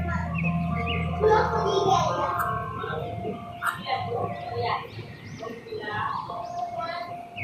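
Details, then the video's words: Ringneck parakeet talking to its reflection in a mirror: high, speech-like chattering with harmonic, nasal syllables in quick uneven bursts throughout, over a low background rumble. "Ringneck Parrot Talking to Mirror"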